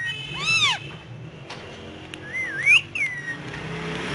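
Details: Indian ringneck parakeet on pillows, said to talk in Urdu/Hindi; a few short arching harmonic notes and a wavering whistled phrase, spaced over four seconds, over a low steady background hum.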